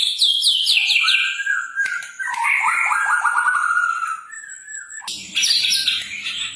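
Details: White-rumped shama in persistent song, played to prompt birds to sing: a high descending cascade of whistled notes, then a long lower warbling phrase falling in pitch, ending in dense harsh chatter.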